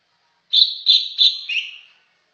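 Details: Greater green leafbird (cucak ijo) singing: three clear, bright whistled notes in quick succession, then a lower slurred note trailing off, in a clean, quiet recording.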